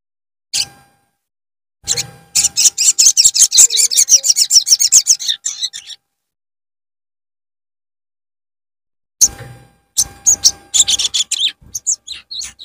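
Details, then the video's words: Javan cochoa, a wild-caught untrained bird, used as a trigger recording for other birds: a sharp tap, then a fast series of high, bright chirps for about four seconds, followed by silence and a second chirping burst. "PANCINGAN BURUNG SOGON BAHAN"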